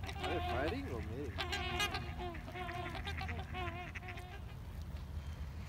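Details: Trumpeter swans calling back and forth, with quick wavering honks and bent, trumpeting notes in short bursts over a heavy low hum, fading toward the end.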